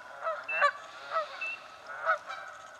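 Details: Canada geese contesting nesting sites in a swamp: short, loud honks spaced roughly half a second to a second apart, with a steady hiss of background noise.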